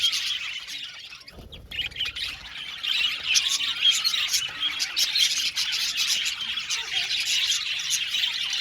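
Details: Budgerigar colony in an aviary; chirping starts thinner, a low thump sounds near the second second, then the flock's chatter thickens into dense, rapid twittering.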